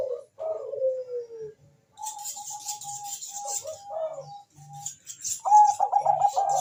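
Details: Bangkok-type zebra dove calling fast as a lure: a falling whistle, then spaced flat whistled notes and a closing rapid run of bubbly coos, with hissing high noise in the background.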